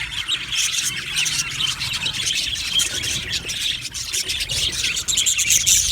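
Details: Aviary flock of budgerigars, called happy, keeps up a steady wall of high, scratchy warbling chirps and squeaks with no clear gaps.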